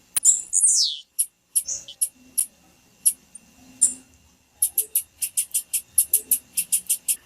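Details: Calls of a female blue-black grassquit, meant to excite a male to sing: a few scattered high squeaks and a brief downward-sliding note open, followed by a steady rapid series of sharp, thin, very high chips.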